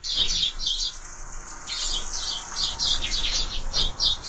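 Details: Sparrows at a bird feeder seen on a bird camera: quick bursts of high chirping chatter over steady hissing background noise, loudest at the start and end.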